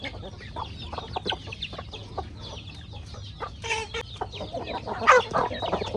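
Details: Chickens at corn feeding time in a rustic farmyard, giving quick, irregular clucks and thin downslurred peeps, with a brief harsher squawk toward the end.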